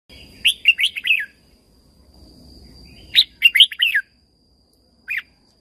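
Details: Red-whiskered bulbul song from Thailand, played to excite and train caged birds: two bursts of bright, bubbling chirped phrases, then a single short note, over a faint steady high tone.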